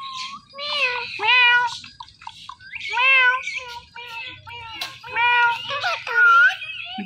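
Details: Indian ringneck parakeet, a talking pet filmed dancing, producing a stream of varied chattering, speech-like warbled syllables with a low background hum.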